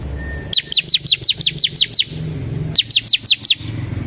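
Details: Ciblek (bar-winged prinia), a semi gacor bird used as a lure and master song for training ciblek, delivering rapid bursts of high, sharply descending chirps, about eight then six notes, with low background hum.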